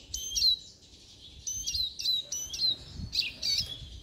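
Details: Siskin singing: bright, high twittering phrases, each with a sharp descending whistled note, repeated in short bursts about every half second to second, with a faint low rumble beneath.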